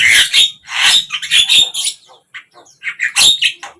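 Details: Javan myna (jalak kebo) song of grating squawks and rasping chatter, mixed with sharp whistled notes, delivered in quick bursts, then softer broken notes and a final loud squawk.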